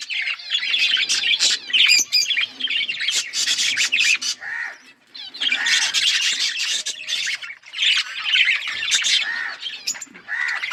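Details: Several pet budgerigars chirping in lively bursts of buzzy, squeaky warbling, separated by short near-silent breaks.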